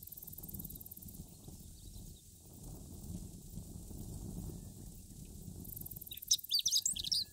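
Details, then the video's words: Chestnut-eared bunting in Akita, northern Japan, gives one brief, high, jumbled twittering song phrase near the end, after several seconds of steady low rumbling wind-like noise. "Chestnut-Eared Bunting Singing Beautifully"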